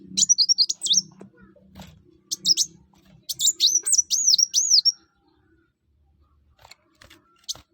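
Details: Brown-throated sunbird (kolibri wulung) in full song, used to get other birds singing: bursts of high, thin, looping whistled notes in fast runs, with a pause after about five seconds and a faint low hum.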